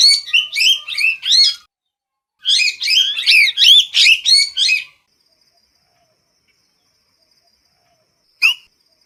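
A parrot gives two quick bursts of harsh, squeaky notes, about a dozen in all. Then comes a pause and one last shrill note.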